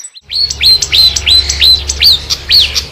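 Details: Marsh warbler song: a steady series of about seven sharp, arched whistled notes, each rising then dropping, roughly three per second, over a faint low hum.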